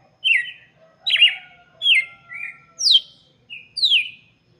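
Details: Red-cowled cardinal song aimed at chicks: clear downslurred whistles in groups, with a faint steady tone running underneath.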